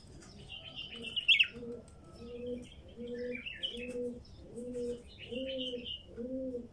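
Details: Wild female bulbul singing loud, slurred whistled phrases over a steady low, repeated cooing of a dove, about one coo per second, throughout.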